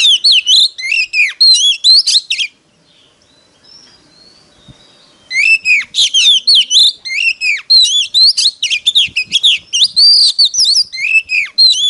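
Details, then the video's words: Competitive song of an Oriental magpie-robin used to call in wild birds: a long performance of rapid, ringing whistles with downward slurs, broken by one three-second pause, then continuing in a busy, repeated stream. "Chích choè than hót đấu"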